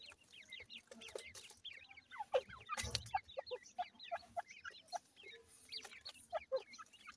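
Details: Feeding grey francolin chicks: a steady scatter of thin rising peeps, a few sharper dropping notes, and a loud rustle or knock near the middle.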